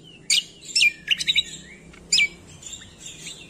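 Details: Green magpie song used as training material for songbirds: a few sharp, buzzy, high notes, a rapid trill of three short notes, and one final harsh note, with quiet gaps between.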